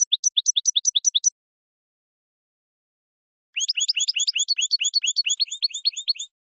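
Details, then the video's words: European goldfinch song from a male urging a female to mate: a rapid, even run of high, bright twittering notes, a pause, then a denser, faster twittering phrase. "اقوى تغريد حسون يحفز الذكر يهيج الأنثى للتزاوج"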